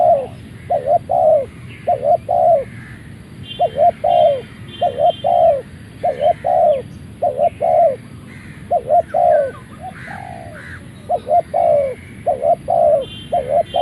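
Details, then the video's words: Malaysian-strain spotted dove, a caged decoy bird, crowing as soon as it leaves its box: steady run of deep mellow coos in paired short notes and longer falling ones, roughly one phrase per second, soft twittering of other birds in the background. "นกเขาใหญ่ต่อดิน เจ้ามหาชัย | ออกจากกล่องได้ขันเลย"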